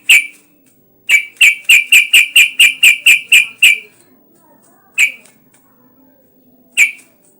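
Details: Bulbul lure song of the yellow-vented bulbul to spur other bulbuls to sing: a steady run of about eleven sharp, bright chip notes, then two single notes spaced well apart.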